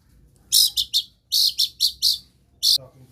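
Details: Long-tailed shrike (pentet), a skilled mimic of other birds, utters short groups of loud, very high, sharp chirps separated by brief silences.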